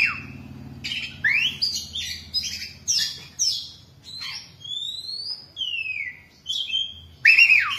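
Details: An Oriental magpie-robin kept caged for 10 years sings a rich run of varied whistles, slurred rising and falling notes and brief scratchy bursts in quick succession over a faint low hum.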